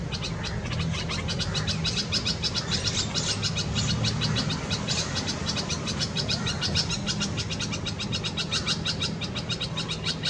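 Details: Red-vented bulbul feeding chicks in its nest in a Karaunda bush, Delhi garden, India, May 2020, peak summer heat; continuous rapid high chirping, roughly three notes a second, uneven rhythm, with a low background rumble.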